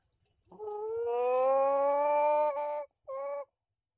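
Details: Male chicken crowing: one long, steady, slightly rising note held for over two seconds, then a short pause and a brief second note. There is faint low rumbling before the crow.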